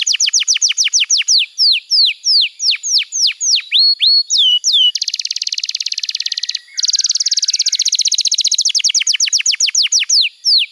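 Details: Canary training song: repeated downslurred whistles at a steady pace, a whistled phrase, then long rapid high trills ending in spaced sweeping notes.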